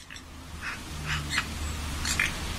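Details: Eurasian coot calls: a few short, sharp, nasal single notes at irregular intervals, faint over a steady low hum.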